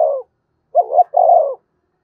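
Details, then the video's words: Spotted dove calling crow: the tail of one coo, then a quick double note and a longer sustained coo, mellow and mid-pitched, no other sounds. "Chim cu gáy thúc và gáy gọi cực đỉnh giọng rất hạp bổi"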